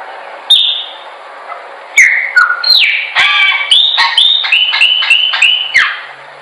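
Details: Chopi blackbird song for training birds: an opening whistle, a pause, then a quick chain of clear downward-slurred notes, ending in a run of similar whistles repeated in even succession.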